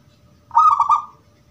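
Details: Gedong mengo type zebra dove singing with a clear 'crystal' voice, used as a lure so other doves reply; a single brief, bright trilled coo with a rippling, quavering quality, about half a second long, over faint low background rumble.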